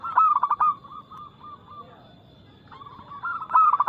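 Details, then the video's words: Local zebra dove, quick-noted and loud with a crystal tone, used to lure other doves into song: a rapid stuttering coo burst, a quieter trailing series of coos, a short pause, then another loud burst. "PERKUTUT LOKAL GACOR Nada cepat Suara keras kristal"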